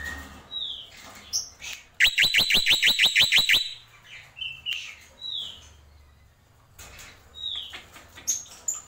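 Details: Black-winged myna giving a tembakan burst: a loud run of about ten quick, sharp, high notes fired evenly over a second and a half, with scattered softer chirps and whistles before and after.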